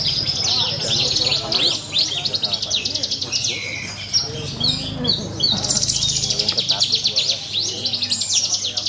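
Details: Contest Australasian bush lark delivering a rich, unbroken high song of fast trills, buzzes and chirps that shifts in pitch, over a low hum and distant voices of the crowd.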